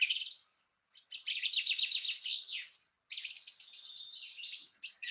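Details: Song thrush in the UK in spring, singing loud and high from a high perch: a phrase of rapid notes is repeated 2 to 4 times, then it moves to a new phrase. A chaffinch is heard in the background.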